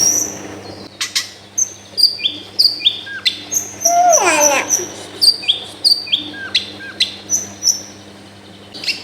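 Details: Long-tailed shrike song meant to stimulate a lazy bird, taped at home amid dense housing: clear high whistles with falling tails, repeated every half second or so, broken by one harsh rasping burst. Low background hum throughout.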